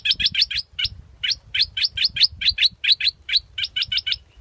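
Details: Scarlet-backed flowerpecker giving rapid sharp, high ticking notes in quick bursts of three to five, about two per second, with brief pauses between groups; faint low rumble underneath.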